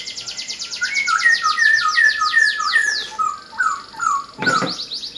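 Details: Caged laughingthrush in full song: rapid repeated whistled notes at a steady fast pace, then lower slurred phrases and a sharp burst near the end.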